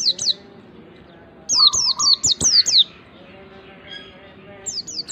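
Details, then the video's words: White-eye song used as a lure for a pleci: short bursts of high, sharp descending chirps separated by quiet gaps, with a faint lower tone beneath one burst. "pancingan pleci agar cepat ngalas PLECI BAHAN CEPAT BUKA PARUH"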